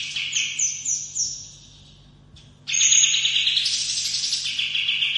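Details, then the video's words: Kapas tembak, olive-winged bulbul, in a training recording of long rolling song: stepped high whistles, a short pause, then a loud continuous warbling roll of rapid notes. "masteran kapas tembak ngerol panjang"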